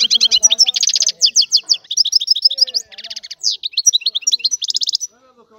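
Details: European goldfinch in full song, a lively jumble of liquid twitters, short buzzy trills and downslurred whistles repeated in quick runs for five seconds, with soft lower notes at the start.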